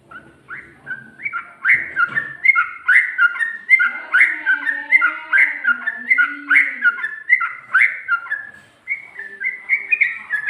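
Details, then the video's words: Sooty-headed bulbul in rapid 'ropel' style song with 'ngikluk' and 'garuda' variations, recorded 2020: quick run of short whistled chirps around mid pitch, nearly one per second, with a lower wavering tone beneath in the middle. "Burung Trucuk Ropel,ngikluk...ada ngGARUDAnya juga"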